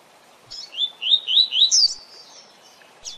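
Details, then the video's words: Tui Tui Zel Zel song of a double-collared seedeater for training captive birds: a run of about five quick rising whistled slurs, ending in a higher sharp sweep and a brief final note. "Tui Tui Zel Zel Canto Para Treinamento e Encarte de Coleiros e Papa capim!!!"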